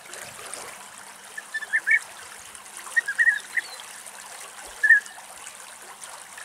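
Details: European bee-eater, one of a male-female pair perched in a tree in Greek countryside, giving short, liquid, rolling 'prruip' notes in small clusters a second or so apart, over a steady hiss like trickling water.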